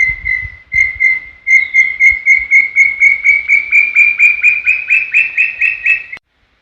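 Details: Brown tinamou song from Serra do Brigadeiro State Park: about twenty clear whistled notes in a long series, gradually climbing in pitch and speeding up, ending abruptly; quiet natural background.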